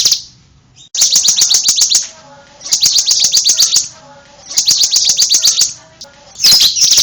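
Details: Song of a bar-winged prinia: three fast trills of sharp, high-pitched chips, each over a second long, separated by short silent pauses.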